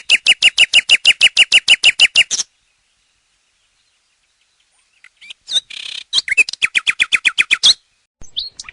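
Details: Nightingale song: a loud, fast series of about fifteen identical sharp notes, then a pause and a second burst of varied whistles and rapid repeated notes, in a clean recording.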